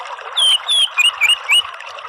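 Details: Orange-headed thrush (anis merah) song, played as therapy to coax a reluctant bird from a chattering 'ngeriwik' into full open 'ngeplong' singing: short, clear whistled notes, some slurred downward and others rising, given in a quick run.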